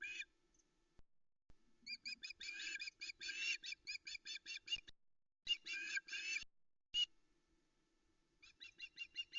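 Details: Female Osprey on the Loch Arkaig nest at 05.22 on 13 August 2020, in soft misty light, waiting for a fish delivery. High, sharp chirping calls come in bursts of rapid repeated notes separated by short silences.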